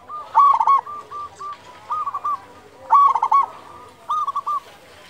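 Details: Loud-voiced local zebra dove used as a singing lure for other doves. Two strong phrases of rapid rolling coos, each followed by a softer short phrase, over a faint background hiss.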